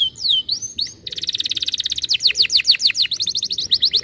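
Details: ['Singing canary used to stimulate other canaries to sing: sweeping whistles give way to a long, rapid, rattling trill. Loud, slurred descending notes follow, then quick chirping phrases.']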